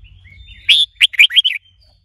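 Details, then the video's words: Red-whiskered bulbul trained to sing, excited by a female; a thin whistle, then a short run of five loud, bouncing slurred notes, with a low hum underneath. "Luyện chào mào hót GIỌNG HAY -KÈM MÁI KÍCH TRỐNG.,kích chào mào hót căng lửa"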